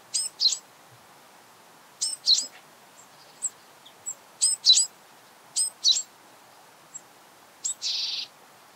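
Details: Japanese Tit calling close by: crisp high double notes repeated about every 1.2 seconds, ending in a short buzzy rasp.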